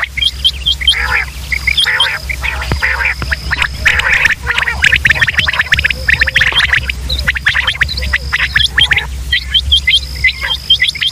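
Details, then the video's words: Pakistani quail recording, male and female calls used for luring birds in hunting: continuous busy chorus of short chirps, rising whistles and rattling bursts from several birds, with a steady high whine and low hum. "sound of quail | new batair ki Awaz صدای بلدرچین"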